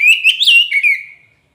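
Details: Kacer poci magpie robin giving a short lure phrase: a wavering whistle that climbs to a peak and then slides down, fading out after just over a second.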